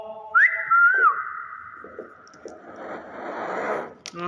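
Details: Nias hill myna producing one short whistle that rises, dips and wavers briefly, followed by softer rustling and murmuring background noise.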